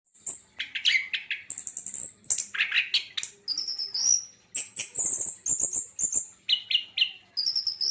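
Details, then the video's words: Javan white-eye, a kicau songbird, singing a busy varied song of high whistled slurs and buzzy chattering notes in quick bursts with short pauses, some notes sweeping up and down. "ANIS KEMBANG ANDA IKUT BUNYI"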